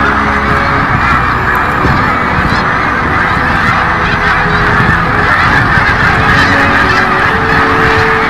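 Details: Snow geese during the 2017 spring migration: a dense, continuous chorus of overlapping nasal honks from a large flock, steady throughout, with low rumbling background noise and faint sustained low tones beneath.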